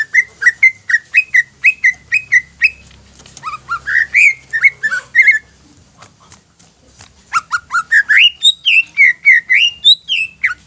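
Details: Greater green leafbird song to provoke other leafbirds: an even series of short whistled notes, then rising slurs, a quieter gap, and a fresh fast run of bright whistles.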